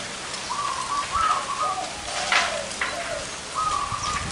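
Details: Zebra doves of large and small voice gathered at one site. Several bubbling trilled coo phrases with lower softer notes between them, over a patter like dripping rain and scattered crackles.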